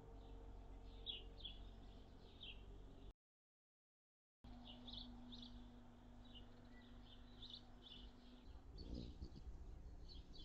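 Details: Anna's hummingbirds at feeders on June 10, 2022, a mild day with a high of 73F: thin, sharp chip notes repeated in quick, uneven series, over steady low rumble and a faint hum.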